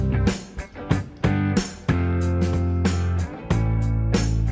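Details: Strummed guitar music with a steady beat and deep bass, with no parrot or other animal voice audible.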